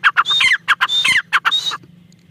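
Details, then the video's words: Female black francolin giving short rasping phrases of clipped notes mixed with a descending scratchy slur and a brief high level tone, three quick bursts then quiet, low steady hum in the background. "female tertar awaz"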